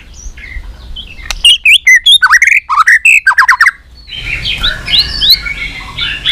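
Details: White-rumped shama giving a fighting song: a fast run of loud sweeping whistles, then quieter high warbled phrases over background hiss.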